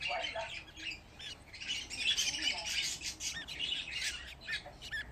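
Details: Fifteen budgerigar chicks gathered in one place, a dense chorus of rapid, overlapping high chirps and squawks, about two or three per second, with faint handling noise.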